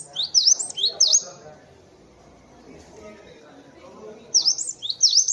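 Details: Cinereous tit in a master song track for training songbirds: two short groups of quick, sharp, high notes, each dipping and rising, with a muffled low background rumble between them.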